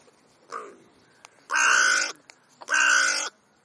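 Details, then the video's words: During a crow conversation, a short soft croak is followed by two loud, raspy caws, each about half a second long and spaced roughly a second apart. "Krähenunterhaltung /crow`s talk"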